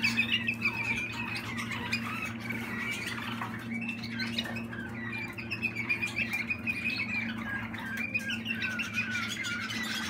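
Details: Malinois Waterslager canary youngster from 2020 in a steady stream of warbled trills and liquid rolls, loudest at the start, with a low droning hum throughout.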